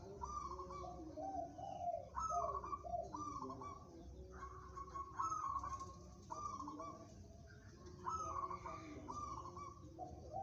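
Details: Song contest zebra dove of local stock, delivering a long series of rolling, purring coo phrases, each starting high and stepping lower, roughly one phrase per second, with a steady low background drone.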